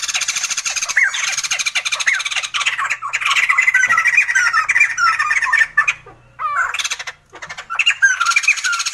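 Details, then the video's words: Sumatran laughingthrush producing a long, noisy, laughing chatter of overlapping harsh notes and downward slurs. The chatter breaks into scattered calls with short silences toward the end, then picks up again. "Sumatran laughingthrush | The sound of birds laughing"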